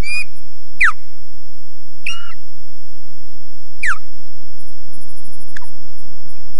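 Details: At RSPB Loch Garten, Scotland, an osprey defends its nest: four or five loud, high whistles, each sliding steeply downward, spaced one to two seconds apart, over steady camera noise.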